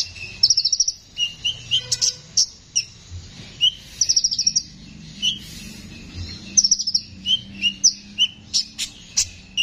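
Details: Konin, a constantly singing rough-voiced bird, used as a training recording for songbirds: fast runs of high chirps alternating with lower whistled notes, in rhythmic phrases repeated throughout.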